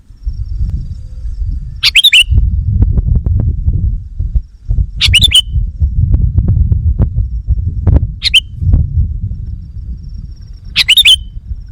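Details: Sooty-headed bulbul call for luring wild birds: four separate bursts of quick, sharp chirps, each ending in a short slurred note, spaced roughly three seconds apart over steady low rumbling noise.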